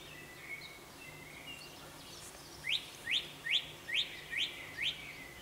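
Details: Song thrush at dawn singing one short, upward-sweeping note repeated six times, about every 0.4 seconds, after a quieter stretch of faint thin whistles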